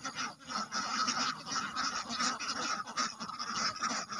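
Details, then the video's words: A crowd of ducks gives rasping nasal quacks that overlap into a steady din, with brief dips between bursts. "Duck sound| Drake sound| Duck roar | Duck hic |duck quack |"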